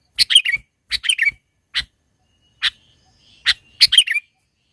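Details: Sooty-headed bulbul in the mountains, sound used as a lure for bird trapping; loud, scratchy chirped phrases in short bursts of two to four notes, separated by brief pauses, with a quiet background.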